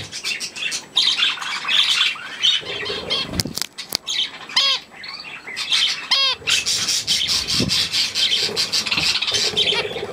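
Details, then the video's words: On 3 May 2024 young budgerigars feed on millet amid high warbling flock chatter. Loud wing flapping is followed by a few harmonic, downward-curving squawks standing out from the twittering. "Hirse und die Jungen Wellis"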